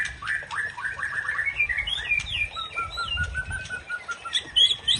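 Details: A white-rumped shama (Murai Aceh) sings to goad a rival. A rapid run of clear whistles climbs in pitch, then gives way to a steady, level trill. A few higher notes come near the end.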